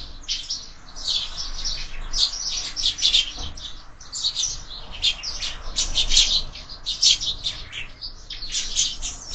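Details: A group of sparrows chirping constantly at a window feeder during breakfast: dense, high, sharp tweets tumbling over one another with hardly a gap, over a soft low background rumble.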